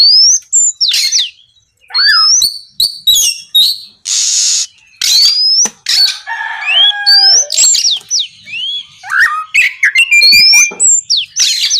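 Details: Oriental magpie-robin song used to provoke other magpie-robins to sing: varied whistled upslurs and chattering phrases, a loud harsh hissing burst in the middle, and a short steady tone near the end.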